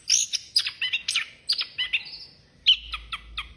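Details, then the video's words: A busy, energetic orange-headed thrush song of rapid high chirps and scratchy notes in quick clusters, a pause, then a few sharp isolated notes. "Burung Anis Kembang Gocor Banget"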